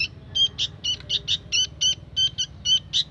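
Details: Sooty-headed bulbul youngster giving about a dozen short, piercing, two-toned chirps at fairly even spacing, with soft background hum.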